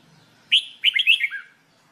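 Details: Red-whiskered bulbul, also called jambul bulbul, singing during song training: one short warbled phrase of quick, bright chirping notes that ends on a lower slurred note, lasting about a second, in quiet surroundings.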